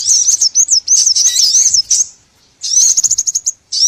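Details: Small birds calling in a trapping lure recording: a continuous, high, warbling twitter that wavers up and down, breaks off into a short silence, then resumes as quick, evenly spaced chirps.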